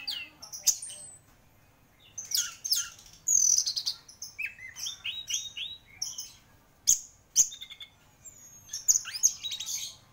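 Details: Vigorous song from an orange-headed thrush (anis merah) described as a champion bird: dense high twittering bursts, a run of descending slurred notes, and sharp whistled accents recurring every second or so.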